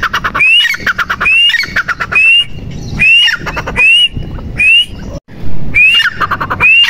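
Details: Male and female teetar francolin calling with a loud, bright upslurred whistle, then clipped grating notes, repeated roughly once a second amid a low background hum.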